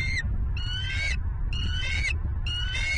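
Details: A bald eagle calls from a Southwest Florida nest on the morning of 27 November 2022, recorded by a nest camera. Long, shrill, squealing notes each last about half a second, with brief gaps between them, over a low rumbling background.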